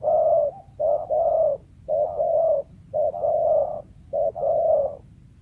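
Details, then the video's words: Wild spotted dove prized for luring. Low, mellow coos come in paired phrases, a short note then a longer drawn coo, about five phrases in quick succession against a quiet background. "TEKUKUR LIAR SUARA IDAMAN PEMIKAT"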